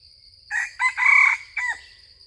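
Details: Junglefowl crow heard while wild junglefowl are lured with a decoy: a loud four-part call with a short opening note, a brief second burst, a long strident middle section and a clipped falling ending, over faint insect hum.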